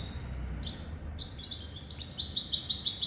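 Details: High, rapid twitters and chirps from a goldfinch × canary hybrid, building from spaced notes into a dense bright chatter by the end, over a soft low hum.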